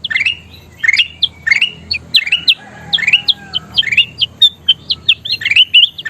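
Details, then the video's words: Kutilang emas bulbul song for bird training: rising whistled phrases and sharp chirps repeated quickly, with a brief faint lower whistle midway and a soft background hum. "SUARA KUTILANG EMAS GACOR PALING DICARI"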